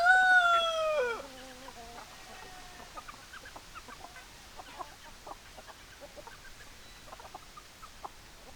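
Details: Chicken sounds: a loud rooster crow ends with a falling, breaking note, followed by soft, scattered clucks and clicks from hens.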